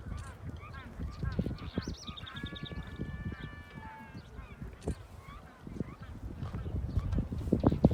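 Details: Magellanic penguin at the Punta Tombo colony in Chubut, Argentina: a few honking, harmonic calls with wavering pitch rise mid-recording, heard behind steady crunching footsteps and rustling from people walking through the colony.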